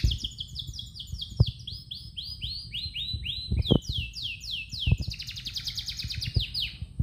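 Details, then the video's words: Canary singing in the morning: a long continuous run of rapid, repeated rising whistled sweeps and buzzy trills that change pattern every second or so, with low thumping handling noise in the background. "kicauan burung kenari di pagi hari"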